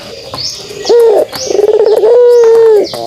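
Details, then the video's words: Pelung dove kugeruk call: a short rising coo, a quick stuttering roll, then a long, even, low hooting note held for nearly a second, with faint high chirps behind. "suara kugeruk burung puter pelung"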